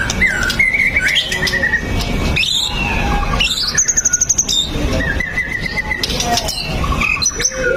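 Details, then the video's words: Nonstop white-rumped shama song used to trigger singing in other shamas: varied whistled phrases, a fast high buzzy rattle in the middle, then evenly spaced whistled notes and short rising calls. "PANCINGAN MURAI BATU LANGSUNG BUNYI 100% GACOR TANPA HENTI"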